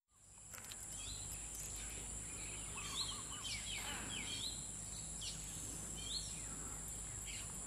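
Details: Malaysian pied fantail at Baan Maka Nature Lodge, Thailand, 29 October 2022, a very active bird, giving scattered squeaky, high chips and short twittering notes over a loud, steady high insect drone.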